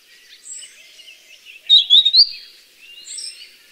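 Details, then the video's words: A wild Grey-headed Canary-flycatcher recorded in nature gives a quick burst of three or four high, sweet whistled notes, with fainter high chips and soft background hiss around it. "Suara Burung Sikatan Kepala Abu (Grey-headed canary-flycatcher)"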